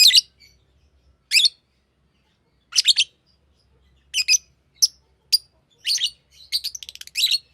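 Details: Green lovebird chirping: high, rasping chirps spaced irregularly, speeding into a quicker stuttering run of short notes near the end.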